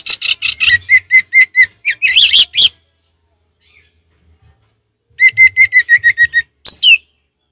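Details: Rapid, evenly paced strings of sharp, bright notes from an orange-headed thrush singing 'ngeplong' style, broken by a harsher squawky burst, then a second repeated string and a final rising whistle.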